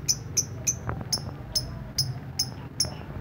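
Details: Lovebird kicau ngetik: crisp, metallic high ticks repeated about every third of a second in an even series, with soft knocking sounds and low background noise.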